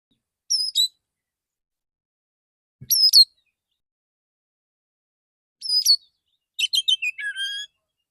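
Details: Male Oriental magpie-robin with relaxed morning song that calls other magpie-robins: three separate high slurred whistles spaced a few seconds apart, then a quick jumble of chirps and a lower falling note.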